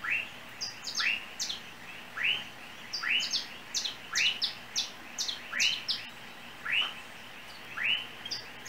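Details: Unidentified small yellow seed-eating bird in Trinidad, perched on overhead lines near a home, chirping: bright rising chirps about once a second mixed with thin, very high ticks; faint background hiss.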